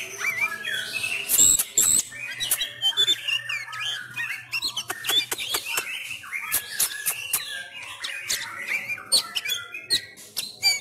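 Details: Home-trained Sumatran Oriental magpie-robin in COVID-19 lockdown delivering fighting-style song: busy mix of high whistles, harsh chatter and sharp clicks, a long varied run with a low steady hum underneath.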